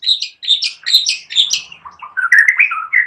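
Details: White-rumped shama song made of quick, bright chirped notes repeated in a fast series, then dropping to lower warbled notes near the end.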